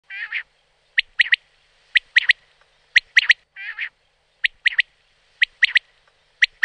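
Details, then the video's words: Common quail calling in the wild: a soft, nasal double note opens, followed by crisp three-note phrases, sharp and whistled, repeated about once a second. Another nasal pair is heard midway. No other sounds. "Canto e verso Quaglia - Richiamo Coturnix coturnix"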